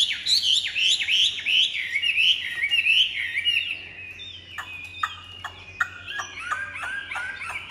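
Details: Caged Chinese hwamei giving a rich series of loud, looping whistled phrases, each rising then dropping. It then breaks into shorter, clipped notes and scattered sharp clicks.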